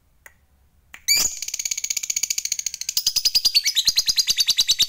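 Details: Lovebird fighter giving its long 'ngekek panjang' chatter, meant to provoke rivals: after a second of quiet, a fast, dense, high buzzing trill bursts in and runs without a break, slightly rising in pitch near the end.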